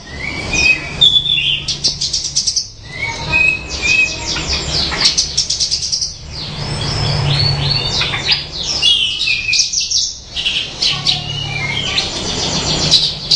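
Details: Melodious song of a branjangan (Horsfield's bushlark): dense, energetic bursts of high rattling trills, buzzy sweeps and sharp whistles, broken by short gaps, with a constant low hum beneath.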